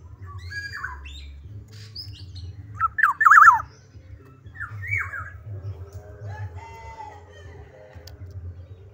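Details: Black-naped oriole singing vigorously: a burst of rapid warbling whistles and slurred notes, with further fluty downslurred whistles afterwards and a persistent low hum in the background.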